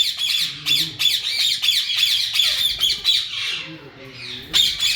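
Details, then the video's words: Yellow ringneck parakeets, a breeding pair kept by a breeder, calling in breeding season: harsh, high, grating squawks repeated rapidly, several per second, almost without pause, with a brief lull near the end before loud squawking resumes. "yellow Alexander parrot natural sounds||yellow Ringneck Breeding pair"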